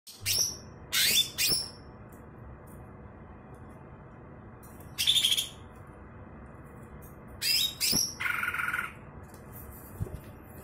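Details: Caged greater green leafbird, a former contest winner with a very loud voice, giving short bursts of high, sharp chirps and a buzzy phrase, separated by quiet pauses, over a faint low hum.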